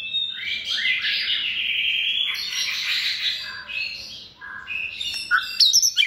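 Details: White-rumped shama, hand-reared and in its second season, kept in a cage for singing contests. Dense, buzzy, high warbling runs on continuously, broken by quick whistles and chips.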